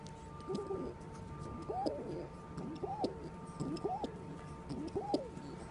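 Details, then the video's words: A young pigeon making its first pigeon sounds gives five wavering, rising-and-falling coos, about one each second, over a faint steady electrical hum. "making the first pigeon sounds"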